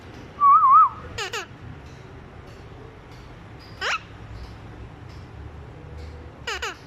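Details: Parrot copying a little child's voice: a loud warbling whistle opens, followed by paired harsh squawks, a single falling rasp midway, and another pair of squawks near the end.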